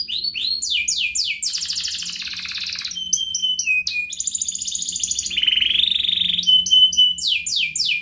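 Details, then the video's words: Singing canary in the ngerek style, played to draw song from young learning and reluctant canaries: quick downward-sweeping notes, a dense buzzy rattle, short pulsed phrases, a pure held whistle and a rolling trill. "Kenari Gacor Ngerek Menekan Lawan Ahlinya pancingan Kenari paud belajar Bunyi dan Kenari Malas Bunyi"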